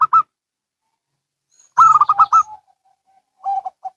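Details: Zebra doves, local and Bangkok types, answering each other: a short two-part note, a pause, then a loud rapid burst of five or six clipped, vibrating coos, followed by softer, lower trailing coos from another bird.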